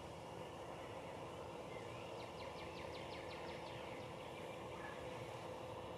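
A Cooper's hawk gives a quick series of about nine harsh, evenly spaced cak notes over under two seconds, over a steady background rumble of traffic.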